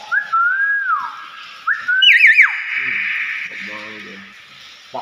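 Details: A captive talking hill myna gives loud, clear whistles, first a wavering mid-pitched note, then a higher sliding phrase, followed by faint speech-like murmurs imitating greetings, in a small room.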